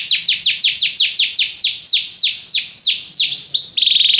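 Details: Belgian canary tutoring other canaries in song, delivering a rolling series of sharply down-slurred whistles that gradually slow, then switching abruptly to a rapid, buzzy, even trill at the close.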